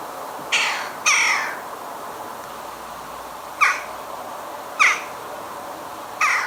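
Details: Western jackdaw (Eurasian jackdaw), a regular garden visitor in Hampshire, UK, in 2020, giving its main call, which sounds petulant: five short, sharp "tchak" calls, two close together, then about a second apart, over a quiet hiss.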